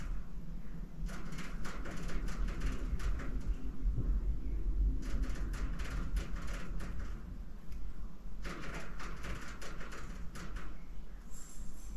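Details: Low rumbling room noise with bursts of rattling, door-like clatter; no animal voice stands out.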